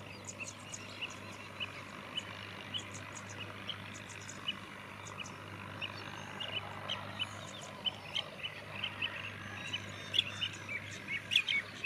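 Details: Four common mynas (Acridotheres tristis) chatter in scattered clicks, squeaks and short whistles growing busier and louder toward the end, over a steady low traffic hum.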